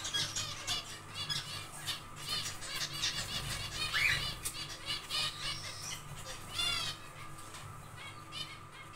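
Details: Zebra finches in an aviary colony, building nests, give a busy stream of short, nasal, trumpet-like beeps, several birds overlapping, with soft wing flutters and a low steady hum behind.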